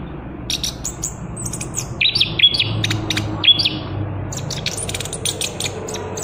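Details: Chestnut-capped thrush singing trotol: thin high chips and short whistles tumbling in quick succession, with steady low background noise throughout.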